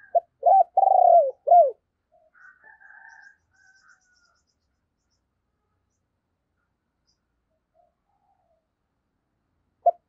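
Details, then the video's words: Decoy spotted dove with a deep 'thunder' voice, cooing to lure wild doves: one low, hollow coo phrase of short notes and a longer drawn note, then faint distant coos and a lone note near the end. "Tiếng Chim Cu Mồi Gáy Hay, Mở Lên Kích Bổi Cực Nhạy"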